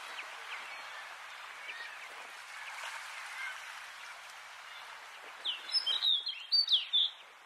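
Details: Snow Bunting (Plectrophenax nivalis insulae) on Flatey, Iceland, in June 2019 gives a brief, sweet warbled phrase of quick high twittering notes near the end, after several seconds of steady hissing background noise.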